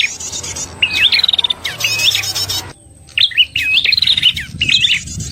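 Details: Prinia lure sound for trapping: a rapid ticking trill opens, followed by hooked chirps and a buzzy burst, a brief gap, then further overlapping upslurred chirps.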